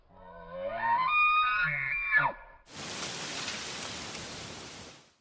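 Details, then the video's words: Chicken crow in a snowy winter setting, a long harmonic call that climbs, holds and falls off abruptly, followed by steady hissing noise like rain. "Âm thanh động vật, cuộc sống các loài vật trong tự nhiên : bò, gà, lợn, trâu, hổ, hươu, nai"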